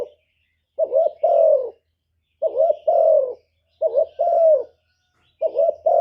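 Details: Lure-call cooing of a decoy spotted dove meant to goad wild birds: four evenly spaced phrases, each a quick wavering hoot leading into a drawn-out soft coo that sinks slightly at the end.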